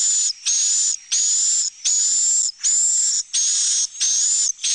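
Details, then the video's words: Roosting-room broadcast of swiftlet calls, played so the birds feel safe and at home where they nest and lay eggs. Long loud hissing buzzes with a whistled top, about seven in under five seconds, nearly continuous. "Suara Inap Burung Walet"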